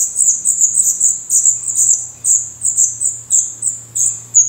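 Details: Black Redstart nestlings with newly opened eyes and growing feathers, in a nest in Portugal, give clusters of shrill high squeaks in quick bursts over a faint low hum.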